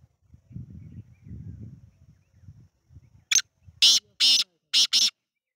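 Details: Black francolin calling: after a stretch of low rumbling background noise, a quick run of five loud, harsh, grating bursts, each brief and rasping, the last two close together.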